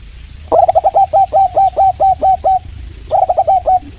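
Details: Local Indonesian zebra dove (Geopelia striata) used as a lure call: a clear, rhythmic run of about ten short, purring coos, a short pause, then a quicker burst of five more.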